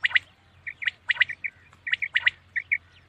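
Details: Common quail at night giving quick, bright double and triple notes, each group followed by a softer, shorter note, in rapid succession.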